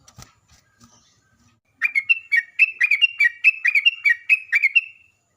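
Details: A sooty-headed bulbul used as a lure for answering bulbuls delivers a lively rapid-fire song, roughly fifteen bubbly whistled notes in quick succession after a short quiet lead-in.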